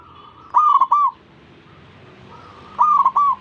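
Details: Zebra dove singing to get other zebra doves calling along; two identical phrases about two seconds apart, each a soft lead-in note followed by three fast bubbling coos, against faint steady background noise.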